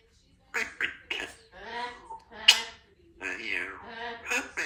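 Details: Pet two-year-old female Congo African grey parrot, kept in a country home, chatting in the morning: a string of speech-like syllables, some rasping and some tonal, in short bursts separated by brief silences.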